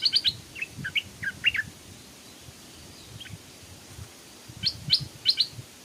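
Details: A fierce wild Stripe-throated Bulbul that flew across a canal to attack a young caged decoy bird gives bursts of quick, bubbly chirped notes, a cluster in the first two seconds and another near the end, over faint background hiss.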